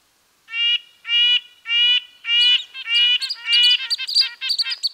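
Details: Red-breasted nuthatch (Sitta canadensis) giving nasal, tin-trumpet-like notes with rich harmonics, first spaced about every half second, then speeding into a denser, overlapping chatter with thinner high squeaky notes mixed in.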